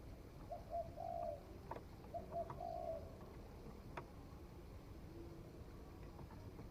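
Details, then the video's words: Spotted dove that has recently begun to coo, tried out in forest: two faint phrases of brief coos followed by a longer coo, then background hum with occasional sharp clicks. "Tiếng chim cu gáy mới nổi thử rừng"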